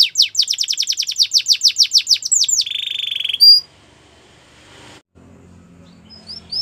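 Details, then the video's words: Russian canary pouring out a rapid string of descending whistled notes that ends in a steady rolling trill, followed by near silence with a few faint high chirps. "Russian Canary Singer"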